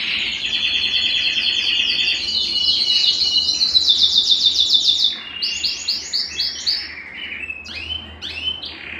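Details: Belgian canary song for warming up males and conditioning females: a long high trill rises and intensifies, then breaks into separate chopped phrases at varied pitches.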